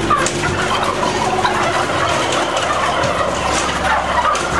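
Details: Turkeys kept in intensive farming, 2010, filling a shed with a dense mass of overlapping calls, occasional thin whistled peeps above a steady rumbling, machine-like hum.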